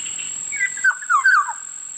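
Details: Short mellow whistled phrase from a Black-naped oriole, three or four notes sliding downward in quick succession, with a continuous high whine in the background.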